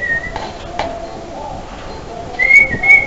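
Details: Fledgling barn swallows, hatched in a carport and just scooped up by hand, give thin, clear whistled notes, one at the start and a rising pair near the end, with soft handling clicks between.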